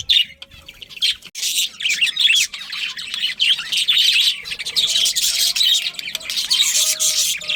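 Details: Many budgerigars in a breeding colony warbling and chattering, with a dense mix of bubbly, scratchy notes and short whistled phrases.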